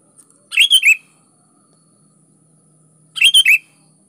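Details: Lively sooty-headed bulbul song used as a lure to get lazy bulbuls singing: two identical, bouncy whistled phrases about two and a half seconds apart, each with three to four quick slurred notes.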